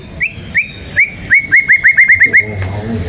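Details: White-rumped shama, a national contest champion in full song, with rolling and 'shooting' filler phrases meant to stir other birds to sing: a run of clear upslurred whistles on one pitch, speeding up into a rapid series of about twelve notes.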